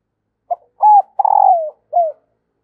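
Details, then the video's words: One clean phrase of the female spotted dove's call used to rouse lazy males into cooing: a brief note, a level hooted note, a long buzzy coo gliding down, and a short falling end note. "tieng cu mai kich trong"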